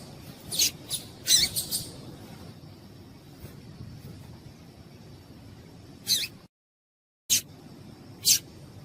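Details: Female seedeater (papa-capim) calling to stimulate males for tournament singing; brief high chip notes, a small burst near the start, then a few single chips spaced apart, with a quiet hiss throughout.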